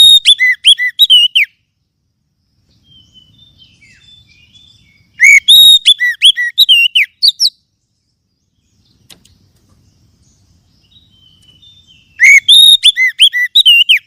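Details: Three loud bursts of varied, ringing whistles and slurred notes from an Oriental magpie-robin, each separated by several seconds of near silence with faint soft twitters; played to encourage other birds to sing.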